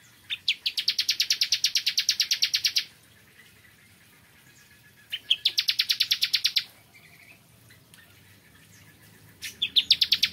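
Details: In the morning, a bar-winged prinia sings three long, even trills of rapidly repeated high notes, each about one and a half to two and a half seconds, with silent pauses between.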